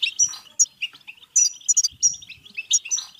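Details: Short stretch of European goldfinch batbata song used as stimulation for singing and mating: separate sharp, high tinkling whistles and quick chirps, spaced with brief pauses rather than continuous chatter.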